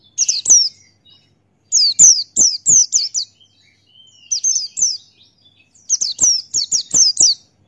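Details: Male Buxtoni white-eye in gacor ngalas style, used as a master tutor song: bursts of high, thin, downslurred whistled notes, three to five in quick succession, separated by short pauses.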